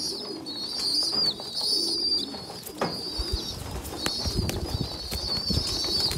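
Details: A small weak young pigeon feeds larger youngsters; high thin squealing whistles run in long phrases, broken by sharp taps and rustling around the middle.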